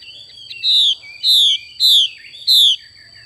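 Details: Female Chinese hwamei giving its 'xùy' call: four loud, harsh, down-slurred notes, each about a quarter second long, repeated roughly every 0.6 seconds over a faint low hum.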